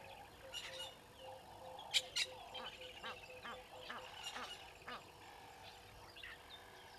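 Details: Egyptian goose family at Gowrie dam waterhole on Djuma Game Reserve, Sabi Sand Wildtuin, South Africa, 09:18 on 25 December 2021: harsh, broadband honks in irregular bursts, two loud ones close together, over a steady warbling chorus of other birds.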